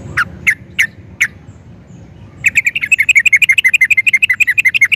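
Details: Four spaced, sharp chips from a yellow-vented bulbul give way to a sustained, quick chattering run of rolling notes. The bird is kept as a lure to set other bulbuls singing. A low hum sits beneath.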